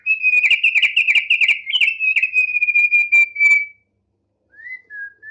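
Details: Loud, rapid buzzy trill from a tame, vigorously singing thick-billed heleia, sustained about three and a half seconds before a pause and two soft sliding whistles.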